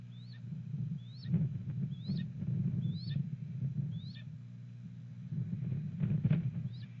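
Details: Wild red-tailed hawk at a nest in strong wind on 31 March, early afternoon, calling to another hawk, possibly its mate: short high rising-then-falling notes repeated about every 0.8 seconds, over heavy low wind rumble.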